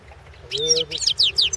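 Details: European goldfinch, a competition entry in the 2016 World Championship in Goldfinch Song: a short clear whistle, then rapid rising and falling twittered notes, with faint low tones beneath.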